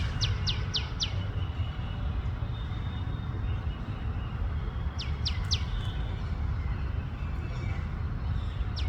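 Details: A tailorbird in India gives sharp, high, downslurred chirps in quick bursts of three, then pauses, over a steady low rumble of traffic.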